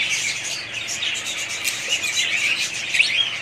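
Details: Pet budgerigar parrots in a family group chattering together: dense, busy twittering and squeaky chirps layered without pause, with one sharp bright note about three seconds in.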